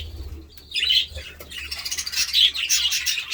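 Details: Budgerigar chatter that begins with a few squeaky chirps, then grows into a lively, dense twitter of high scratchy notes and warbles, over a faint low hum.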